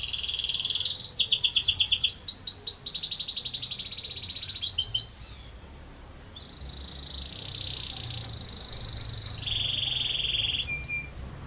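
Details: Quieter canary song with a buzzy trill, a few seconds of rapid rolling notes, then long steady whistled tones stepping down in pitch.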